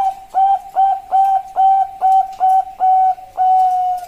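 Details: Bangkok zebra dove, a female calling to a male, a master recording for luring: eight steady, full-toned coos at about two per second, the last ones slightly longer.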